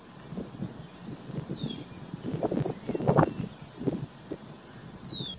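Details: A Least Bittern at Carden Alvar, east of Lake Simcoe, on 23 May 2019, in rain and sunshine, gives soft, low, hollow coo-coo-coos in an uneven series, with thin high whistles from other birds and light wind behind.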